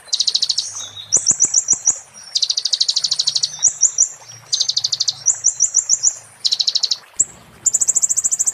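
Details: Purple-throated sunbird (konin) in "muntah beling" style for tutoring magpie-robins and shamas: continuous alternation of high rattling trills and rapid whistled phrases, ending in a sustained very high trill.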